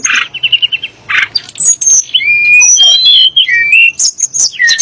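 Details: Song of the Sunda blue robin, used to goad magpie-robins and shamas: a short trill of repeated notes, a harsh burst, then a long ringing whistle gliding down and up, ending in high chatter.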